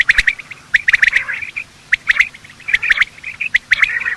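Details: Quail, male and female, in a morning calling sequence used by hunters as a lure: many overlapping short, chirpy notes in quick bursts, with sharp clicking sounds and brief pauses between groups.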